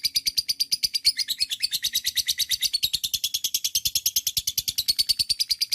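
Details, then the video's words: Lovebird giving a long ngekek chatter, meant to stimulate other lovebirds: an energetic, rapid, unbroken sequence of high, grating chirps at a steady fast pace. "TERAPI LOVEBIRD NGEKEK PANJANG"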